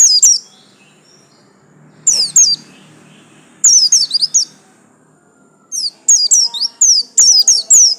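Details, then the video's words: Home-kept Bustomi white-eye, yellow-striped type, delivering bursts of piercing descending chirps separated by silences, the final section a fast, busy volley of high slurred notes. "absen garis kuning pleci buxtomi"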